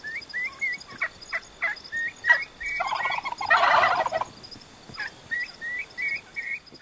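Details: Wild turkey hen gobbling, recorded in Oklahoma during a deer hunt: a rapid, rattling gobble lasting about a second and a half mid-clip, framed by short repeated chirping notes of other birds before and after.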